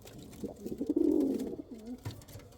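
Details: A single strong pigeon coo, a low throaty roll that swells and then drops into a short softer tail note.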